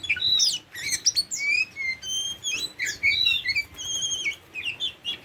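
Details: A tame Oriental magpie-robin sings loud, varied phrases of chirps, slurred whistles and sustained tones, short notes packed between longer clear whistles.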